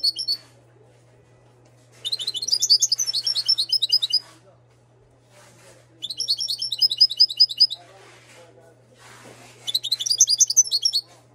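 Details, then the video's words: European goldfinch from Morocco, bred in 2022, delivers three long bursts of rapid, sparkling twittering, each about two seconds, separated by pauses of nearly two seconds, with a continuous low hum. "طائر الحسون انتاج 2022 ماشالله صوته جميل حسون مغربي"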